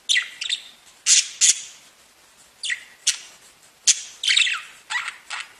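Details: Singing, tweeting pet budgerigars: scattered high, shrill chirps and squawks in small clusters, with a brief warbled phrase and quiet gaps between bursts.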